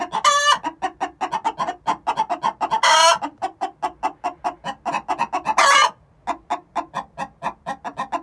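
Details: Two six-month-old hens giving the egg song before laying, a long run of rapid rhythmic clucks broken by three loud, harsh drawn-out squawks.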